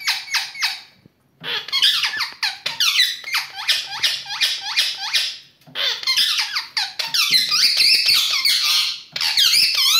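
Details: A male Indian ringneck parakeet, a talking and dancing pet, chatters in rapid bursts of shrill, squeaky chirps and sliding whistles, several each second, broken by brief pauses.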